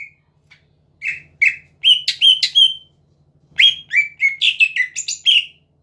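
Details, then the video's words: Greater green leafbird song used to draw rival birds into singing: quick runs of bright whistles and chirps in two phrases, the second faster and more varied, a faint low hum beneath. "BURUNG CUCAK IJO GACOR PINTAR MEMANCING LAWAN AGAR BUNYI"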